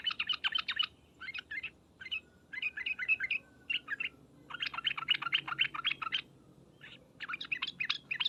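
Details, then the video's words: Rapid chattering by a sooty-headed bulbul in the 'ngriwek uplik uplik' style meant to provoke answers, delivered as repeated irregular bursts of scratchy notes with brief pauses between them. "suara panggilan trucukan dan ngriwek uplik uplik ini menjadikan burung trucuk gacor nyaut seketika"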